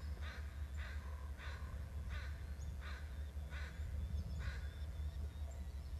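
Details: Eagle calling at its nest after arriving with a fish, calling from the prow: a run of about eight harsh, broad squealing bursts, roughly one every 0.6 seconds, over a steady low rumble.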